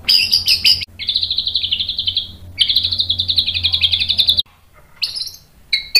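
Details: Agitated white-rumped shama song meant to provoke other males into singing: long buzzy trills held near four kilohertz for over a second each, separated by brief gaps, ending with short sharp notes and a low hum beneath.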